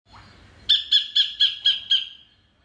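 A sacred kingfisher gives six sharp, high, harsh notes in an even series, about four per second, after a faint rising note.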